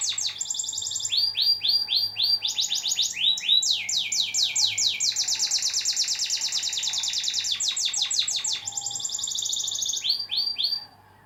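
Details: Canary song played as a master recording to make birds sing diligently: varied phrases of fast high trills and short rapid note series, changing tempo and pitch, with a faint steady hum beneath.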